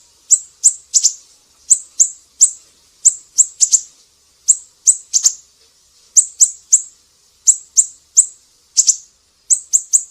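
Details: Lively Black-naped Monarch, recorded as tutor material for songbirds, giving thin, piercing high chirps, singly or in quick doublets and triplets, separated by short silent gaps; nothing else audible.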